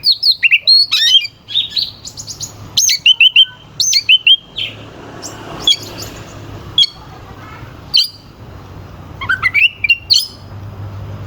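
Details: Oriental magpie-robin singing a rough, sharp song used as a lure to make rival birds sing and grow aggressive; bursts of rapid whistled and clicking phrases alternate with short quiet gaps, with a faint low hum beneath.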